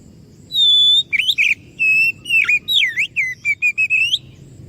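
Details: Oriental magpie-robin (kacer) singing, a recording used to lure other birds into answering: a long pure whistled note, then a quick series of rising and falling whistles, slurred notes and short chirps, over a faint low hum.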